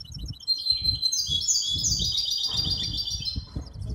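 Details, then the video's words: Hybrid goldfinch in full song during a competition of the Ain Chock bird association in Casablanca on 23 May 2021, a dense continuous stream of high twittering trills and tinkling notes over steady low background rumble. "مباراة تغريد هجين الحسون"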